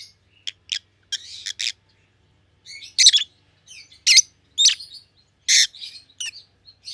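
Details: Shrill, scratchy chirps from two white-headed opaline rosy-faced lovebirds, pallid and green, come in uneven runs, with louder harsh notes clustered in the second half.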